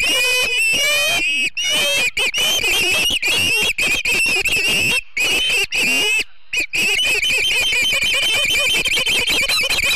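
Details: Ospreys calling at the Charlo, Montana nest on a September morning in 2016, live nest cam; a long, nearly continuous series of piercing whistled chirps, fast and excited, broken by two brief silences.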